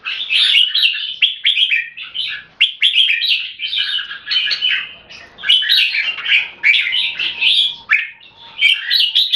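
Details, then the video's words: Red-whiskered bulbul, caged and kept in Singapore, in continuous song with clear 'keke' notes: dense, energetic bubbling whistles and chatters, phrases following one another with only brief breaks. "นกหัวจุก JAMBUL - SOLID CLEAR KEKE & SINGING"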